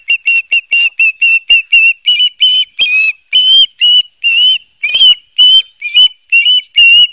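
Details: Ospreys at their nest in Barnegat Light, New Jersey, filmed by nest camera on 12 September 2022; a steady run of clear, whistled chirps, roughly two each second, holding an even pitch with slight upward inflections toward the end.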